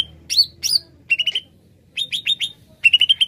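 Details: Lively greater green leafbird singing, a lure call for catching birds: two loud rising sweeping whistles, then quick chains of three to five clipped bright notes, packed densely into a few seconds.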